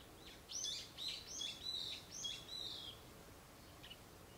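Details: Narcissus flycatcher (Ficedula narcissina narcissina) sings one quick phrase of about six clear, high whistled and warbled notes over two and a half seconds, then a single soft note, against faint background hiss.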